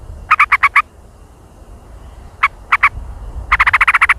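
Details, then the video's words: Sooty-headed bulbul lure call with jontrot, described as super active and noisy: a quick burst of five sharp harmonic notes, a pause, three spaced notes, then a rapid chattering run of about ten notes. "Suara pikat Burung Kutilang Dengan Jontrot super aktif dan berisik"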